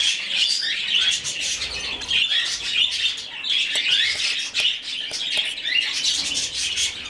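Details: Budgerigar chick, rescued and hand-fed, producing a long run of rasping, pulsed begging calls, swelling and easing in waves with short gaps.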